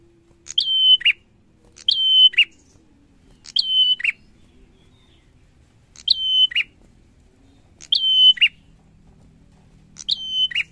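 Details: Six repeated song phrases of a bar-winged prinia, each a short chip, a long thin whistle and a buzzy lower tail, delivered with brief gaps in between.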